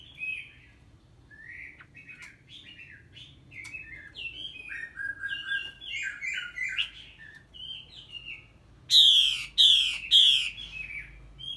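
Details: A female hwamei about three seasons old, calling to stimulate males, gives quick runs of whistled, slurred notes. Three loud, harsh, rasping chatters near the end stand out against a low background hum.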